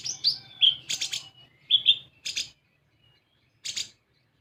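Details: High sunbird song played as a lure to make other birds sing: thin whistled chirps and slurred notes, a few short buzzy bursts, then near silence before one last buzzy burst.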